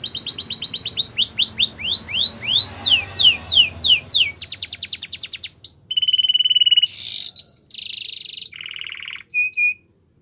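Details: Belgian canary, yellow, singing loudly: a long chain of repeated sweeping whistles, a rapid clicking rattle, then buzzy trills at high and lower pitch and two short clear whistles before falling silent.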